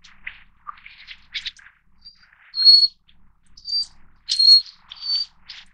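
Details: Taiwan's endemic Little Forktail subspecies, found along mountain streams, sounding sharp high whistles, some with a brief downward slur, after a stretch of softer varied chirps and ticks.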